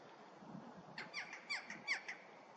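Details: Western jackdaw recorded on 25 January 2024, giving a quick series of short, sharp, squeaky 'chak' calls, about six within two seconds, each bright with overtones, against a quiet background.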